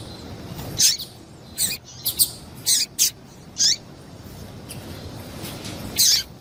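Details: Sharp, high-pitched chirps of a female double-collared seedeater, used to excite males; about eight separate clipped notes at irregular intervals with quiet gaps between.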